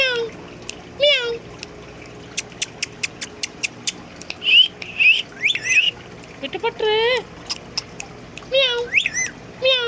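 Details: Indian ringneck parakeet kept as a pet, in a happy mood, talking and mimicking a cat's meow: drawn-out, wavering meow-like notes mixed with sharp clicks, quick chatter and rising squeaky whistles.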